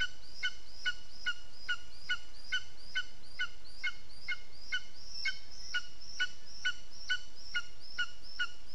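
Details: Lesser spotted eagle at its nest, 15 June 2021 around 15:09, giving a long, steady series of short ringing yelps, roughly two per second, each note sharp and harmonic-rich, against constant low background noise.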